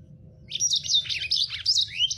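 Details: Lemon-breasted canary, a small finch of the Fringillidae family, singing a rough, full-speed song used to train other caged birds: a fast, continuous jumble of high chirps, trills and quick upward and downward sweeps, with a low hum underneath.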